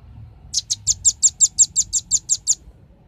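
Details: Clear lure recording of a velvet-fronted nuthatch: a steady series of twelve piercing, high-pitched chips, evenly spaced about six per second, against a quiet low hum.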